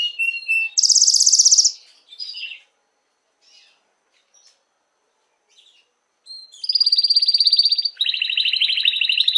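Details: Canary song to excite females for mating: a loud, very high fast roll, a short burst, nearly four seconds of quiet, then two long pulsing rattling trills at descending pitch.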